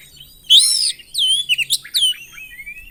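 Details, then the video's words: Kacer (Oriental magpie-robin) in lively 'gacor isian' song. A bright, loud swooping phrase is followed by several quick downward-curving notes and a softer trailing slur. "KACER GACOR ISIAN"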